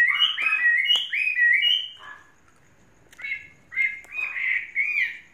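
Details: Chinese hwamei, a caged bird tamed three seasons, gives bursts of slurred whistled notes with harsher squawky edges, pausing, then resumes with quick bright phrases.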